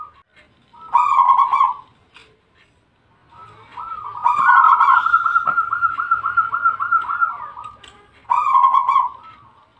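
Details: Zebra dove of the Bangkok perkutut line in full, lively song: a short burst of rolling, throaty coos, then a long, even, rapidly pulsed coo trill lasting about four seconds, and a final brief burst of coos. Quiet background.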